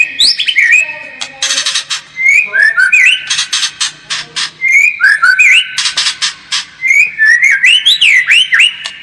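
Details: White-rumped shama singing a lure song meant to make the bird more combative: a rich, continuous run of clear whistles sweeping up and down, interleaved with rapid harsh rattling bursts, loud throughout.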